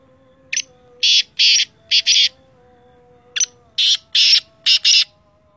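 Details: Sindhi teetar, the black francolin, calling twice: each phrase a brief sharp lead note then four harsh buzzy rasping notes, the phrases about three seconds apart, with a faint steady tonal hum underneath.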